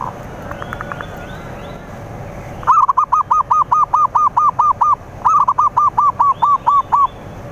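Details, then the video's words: Zebra dove song, played as a lure to draw rivals: after a quiet start, a long run of about ten rapid, evenly spaced, arched coos, a brief pause, then a second similar run, over low background hum. "Pikat Perkutut/Merbuk Jitu Ampuh Menarik Lawan"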